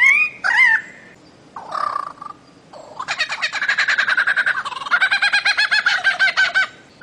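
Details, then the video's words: Bird-of-paradise from Papua, the Aru Islands and Maluku: a few loud slurred notes, then a long fast series of buzzy, harmonic-rich pulsed notes at about two per second, repeated in steady bursts with brief pauses. "KICAU MASTER BURUNG CENDRAWASIH"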